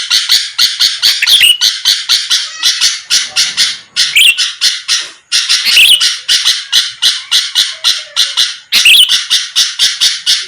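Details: Sooty-headed bulbul sound intended to trigger rival birds: long steady trains of buzzy, rasping bursts about four a second, punctuated by several sharp rising whistled notes.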